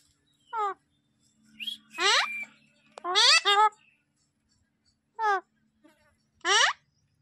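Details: A talking Alexandrine parakeet, a species that can copy human voices, gives about five short, harmonic-rich, word-like calls, nasal and sliding in pitch, spaced over several seconds, with faint human voices in the background.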